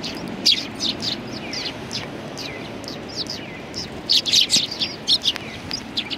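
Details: Sparrows gathered on a bench at a shrine in January 2020 chatter with clustered high chirps and short descending notes, sparse at first then denser toward the end, with faint ambient rumble beneath.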